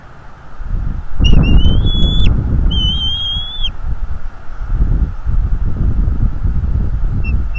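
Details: Bald eagle male on a northeast Florida nest cam, driving off an intruder: two loud, high, slightly rising whistled calls in the first four seconds, set against heavy low rumbling and buffeting noise.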